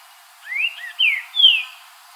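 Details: Green-winged saltator singing in nature: a short phrase of three clear whistled notes, the first rising, the next two sliding downward, delivered within about a second against a quiet background.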